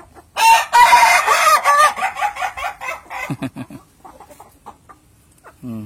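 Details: An Indonesian ayam ketawa (laughing chicken) rooster crows in a loud burst of rapid, stuttering notes that fade like human laughter.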